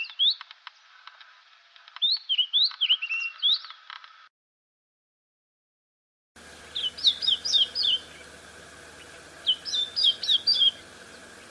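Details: White-browed scrub robin repeating its phrase over and over: quick series of high whistled notes rising and falling, in two bursts split by a silent gap, with a faint steady hum in the background.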